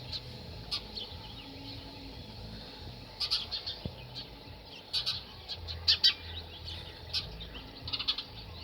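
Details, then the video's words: Male house sparrow active, giving short, bright chirps in scattered bursts, a few clustered together, over a low steady background hum. "House Sparrow Male Activity"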